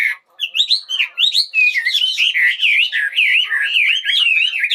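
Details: Bird singing in the morning: a loud, continuous run of warbling, looping whistled phrases that rise and fall rapidly with sharp chips mixed in.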